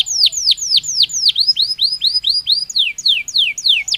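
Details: Natural song of a Belgian canary: a rapid series of bright, sharply falling whistled notes, about four per second, shifting to a new note type partway through, with nothing else audible.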